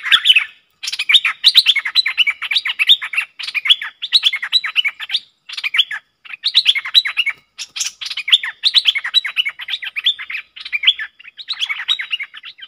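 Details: A pair of Streak-eared bulbuls locked in a fierce song duel, 30 October 2021; nearly thirteen seconds of lively, repeated chattering phrases, each a second or so long, broken by short pauses.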